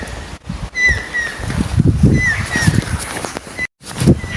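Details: Stork-billed kingfisher (Pelargopsis capensis) in Thailand gives drawn-out, slightly falling whistled notes, about five in four seconds, over a steady low background rumble.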